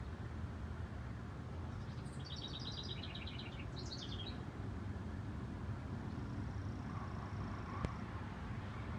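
A bird gives two quick bursts of rapid, high, chattering notes, one after the other. A steady low rumble like distant traffic runs throughout, with a sharp click near the end.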